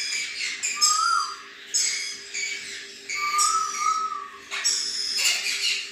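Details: An adult male red-collared lorikeet gives harsh, grating screeches about once a second, with two clear whistled notes in between, over a steady low hum.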